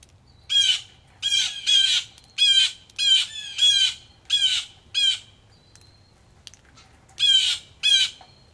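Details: Angry blue jays at a rainy Missouri farmhouse porch give a run of eight loud, grating jay calls about twice a second, a pause, then two more, over soft background rain.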